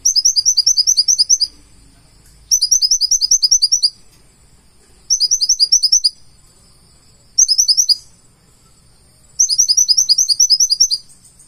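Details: Purple-throated sunbird (konin) in active full isian singing: five rapid trains of very high, crisp chirps, each lasting one to one and a half seconds, separated by short pauses.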